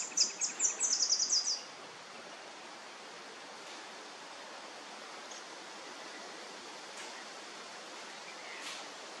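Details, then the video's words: A Willie wagtail, recorded 6 August 2023, gives a quick burst of high, sharp chattering notes, speeding up over a second or so, then steady rushing water fills the rest. "Willie Wagtail"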